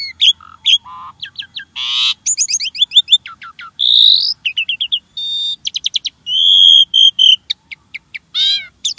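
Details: Singing jalak starling meant to stimulate caged birds: a long, highly varied medley of whistles, buzzy trills, rapid clicking series and harsh bursts, high-pitched and continuous.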